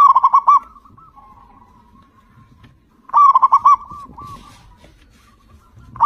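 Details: Local Indonesian zebra dove singing loudly and persistently, used to lure other zebra doves into singing: two bursts of five rapid throbbing coos about three seconds apart, linked by soft evenly spaced cooing notes, with a third burst starting at the end.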